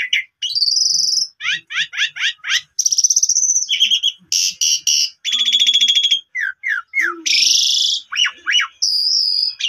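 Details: Asian pied starling lure song for a sulking starling, mixing repeated falling chirps, metallic rattles, buzzy harsh bursts and sharp upward-sweeping whistles in quick succession.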